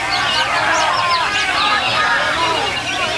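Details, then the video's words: Greater green leafbird singing: a loud, dense stream of rapid whistled notes that rise and fall quickly, overlapping and chattering without pause. "Cucak Hijau"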